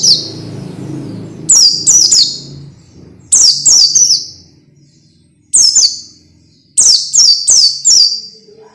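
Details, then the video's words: Masteran training song for young orange-headed thrushes, meant to make them sing quickly and often: repeated groups of two to four high, falling whistled notes, starting over a low rumbling background that fades away. "SUARA MASTERAN BIKIN PELECI BAHAN CEPAT BUNYI DAN GACOR"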